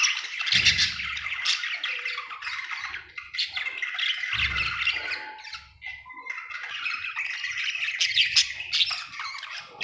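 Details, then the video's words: A happy budgie chatters nonstop, mixing harsh squawks, short clicks and bright tweets in a rambling warble; a few low thumps are heard under the bird. "Happy budgie chirping sound"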